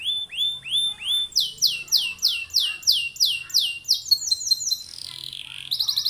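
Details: Canary in full, ornate song intended to get other canaries singing: loud arching notes swooping downward, repeated about twice a second, then a thinner trill and a final bright rattle.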